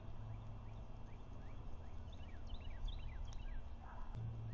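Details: Osprey at a Lake Murray nest, 21 February 2024 at 1:03 pm, on a nest camera, male bringing the female a fish. A run of short, sharp downslurred chirps in quick succession, partly masked by heavy low-frequency rumble.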